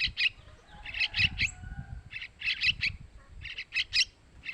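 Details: Young sooty-headed bulbuls calling to be fed, used to lure males: harsh, wheezy chirps in uneven clusters, with a thin whistle and low rumbling noise underneath.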